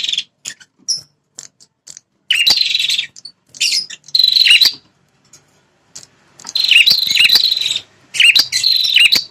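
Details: Red-headed prinia, a territorial fighter, calling to provoke wild males: scattered ticks open into several harsh, buzzy trilled bursts with quick downward dips, the last ones long and closely spaced.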